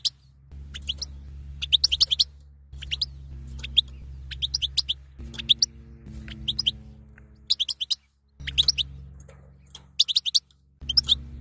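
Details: Batbata calling of a female European goldfinch, used to stir the male to breed: repeated clusters of rapid, thin high-pitched chirps every second or so, with a constant low tonal drone beneath that changes pitch between sections.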